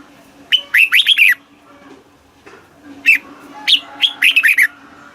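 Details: Red-whiskered bulbul in Thailand singing southern master-style phrases played to stimulate caged birds. Two rapid, bubbly runs of five or six rising and falling whistled notes are separated by a pause, with a soft background hum.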